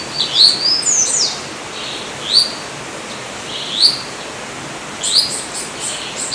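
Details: High, thin upslurred whistles from a Yellow-olive flycatcher (Tolmomyias sulphurescens), a quick cluster at the start followed by single rising notes roughly every one and a half seconds, with faint hiss behind.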